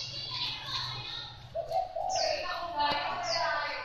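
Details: Thai-type spotted dove cooing: low, soft hooting notes begin midway and run on in a steady phrase, while thin, high, downslurred chirps from other small birds sound above it, alongside faint background hum.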